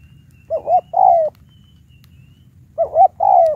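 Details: Lure spotted dove with a high call, set out to challenge wild birds, gives two identical phrases a little over two seconds apart, each a short double hoot followed by a sustained, gently dropping coo.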